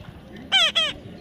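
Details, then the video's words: Young parrot giving a natural call: a pair of loud, raspy, buzzy squawks in quick succession, each under a quarter second, with human speech around it. "natural funny parrot sound"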